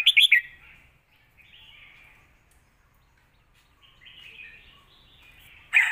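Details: Caged red-whiskered bulbul in lak wai song style, a master song for teaching young birds: a quick burst of three loud chirps, then long, faint, dragged whistles, ending in a sudden sharp note.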